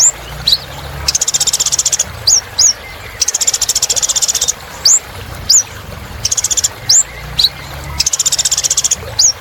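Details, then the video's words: Persistent little spiderhunter singing: long, dense, buzzy trills over a second each, separated by lone high rising whistled notes. "Kolibri Ninja Gacor Untuk Terapi Burung Macet Bunyi"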